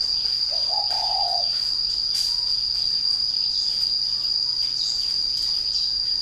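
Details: Spotted dove kept in a cage and said to coo as soon as it is hung up: a short, low, throaty cooing phrase early on, then only a steady high insect drone and faint clicks.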